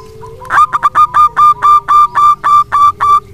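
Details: Loud, steady song of a local wild-type zebra dove, serving as a lure so lazy doves reply. About eleven resonant coos follow in an even rhythm over three seconds, over a faint low tone.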